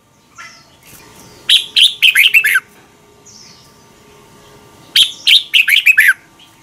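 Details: Red-whiskered bulbul song from Thailand, used to train young birds by copying. Two loud phrases of five or six quick, slurred, chirpy notes each, about three seconds apart. Soft high whistles fill the gaps.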